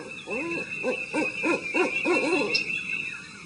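An owl gives a quick run of six or seven short, low hoots, about three a second, over a steady high hiss.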